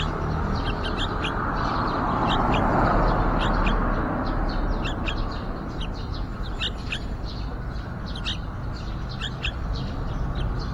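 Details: Bright, clipped chirps from yellow-vented bulbuls around a nest by a window with young close to fledging. The notes come quickly, in pairs and small clusters, over constant low-pitched background noise.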